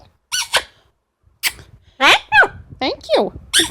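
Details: Indoor pet female Amazon parrot making a rapid series of squeaky, bending, speech-like chirps and squawks, several short notes in quick succession, while the owner praises her.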